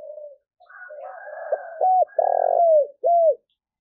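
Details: Spotted dove calling as a decoy to lure wild doves: a low soft hoot, then a run of deep arched coos, a long buzzy throbbing note and a final clear descending coo, with no other sounds.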